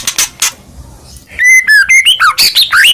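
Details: White-rumped shama (murai batu), a kept bird in full song and ready for contest. After a second of soft rustling bursts, loud clear whistled notes start, steady then slurred up and down. Short phrases come in quick, varied succession.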